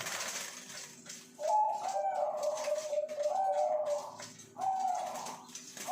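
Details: Caged breeding zebra doves at a bird farm in Pasuruan, one giving a long, rolling, mid-pitched coo with a wavering, trilled quality, pausing, then starting another phrase, over faint background hum.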